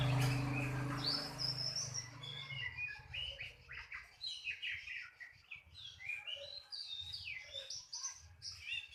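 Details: Oriental magpie-robin singing a varied run of rich whistles and buzzy, slurred phrases. The phrases jump between high and middle pitch with short gaps. A loud, blurred noisy burst opens the recording, and a low hum runs underneath.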